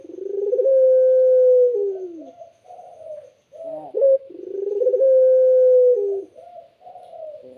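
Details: Melodious spotted dove song in two matching phrases. Each swells into a long, level, pure coo, then drops into softer wavering notes, with a short sharp note between the phrases.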